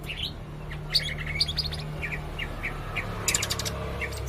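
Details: Blue-crowned hanging parrot, red-necked form, singing very actively: thin high chirps and short rising notes scattered through the clip over a steady low hum, with a few sharp ticks.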